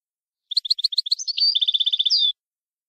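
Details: Syrian goldfinch song: a quick series of bright, clipped twittering notes that runs into a fast buzzy trill and ends in a sharp downslurred whistle, all high-pitched, on a silent background.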